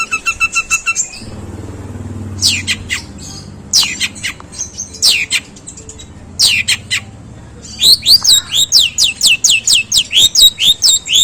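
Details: Long-tailed shrike, a contest prospect, in its long, coarse sparrow-imitation song: a few clipped high notes, harsh downslurred shrieks at intervals, then a fast series of rising, sharply repeated chirps.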